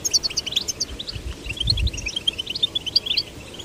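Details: Caged goldfinch chicks, male and female, encouraged to sing: scattered high chirps and short twittering notes, somewhat quieter, with a soft low rumble in the background.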